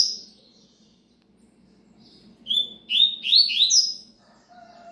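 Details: Double-collared seedeater singing in the cigano song style: after a quiet start, a burst of fast, bright slurred notes, each sweeping downward, packed into about two seconds, with a steady low hum beneath.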